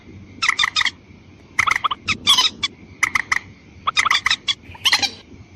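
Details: White-breasted waterhen lure call meant to draw in both females and males: harsh, croaking notes fired in quick clusters of three to five, pausing between bursts, over a steady thin high whine.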